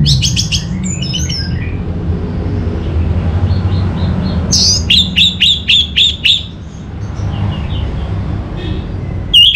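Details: Orange-headed thrush lure song: a quick burst of notes at the start, then a rapid series of about eight sharp, evenly repeated chirps, over a steady low rumble.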